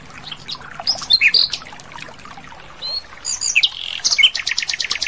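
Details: Asian brown flycatcher singing actively in the wild: bursts of short, high, sharp chirps and whistled notes, then a rapid series of clipped ticking notes toward the end, with a quiet outdoor background.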